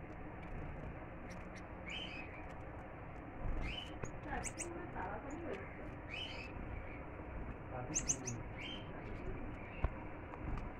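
Short, thin, high calls from a Gouldian finch come in scattered bursts every second or two, over a steady hum and faint voices.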